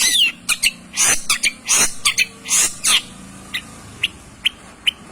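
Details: Long-tailed shrike singing lively as a lure to rouse other shrikes: a run of loud harsh chattering bursts and sharp notes in the first three seconds, then sparse short high chips spaced about half a second apart over quiet background.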